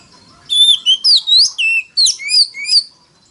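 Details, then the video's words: Oriental magpie-robin singing in a lure recording used to provoke rival birds; clear sequence of about eight whistled notes, level and swooping slurs, with a quiet background. "File choè than mồi kích bổi đấu GIỌNG CỰC TO"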